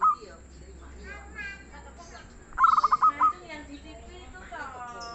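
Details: Local zebra dove, said to sing freely and mellowly, gives one stuttering phrase of low hollow coos with longer closing notes amid frequent chirps and warbles from other birds.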